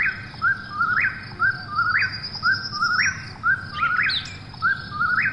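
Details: Eastern whip-poor-will at night giving about five evenly spaced whistled phrases, each sliding up to a ringing peak, with a thin high trill and a few brief chirps from another bird.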